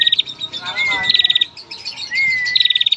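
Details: Rapid ticking trills from a female bar-winged prinia used to draw out singing males, with two slurred whistled notes between the trill bursts, all in quick succession.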